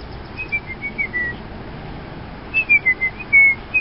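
Robin singing two short phrases of clear, whistled notes that slur up and down at a mid-high pitch, with a pause between phrases and faint background hiss.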